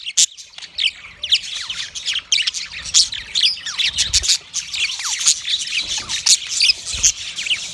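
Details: Yellow male budgie chirping in a mating display, a fast stream of descending slurred chirps and buzzy warbles, thick and overlapping, with brief low thumps near the middle and later.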